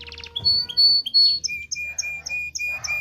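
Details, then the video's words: Canary song used to prompt males and females to breed. A quick buzzy trill opens, followed by clear sustained high whistles. A run of short repeated chirps follows, with a low hum underneath. "تغريد كناري لتدريب ذكور واناث الكناري على التزاوج. صوت كناري لتزوج .. Canary singing"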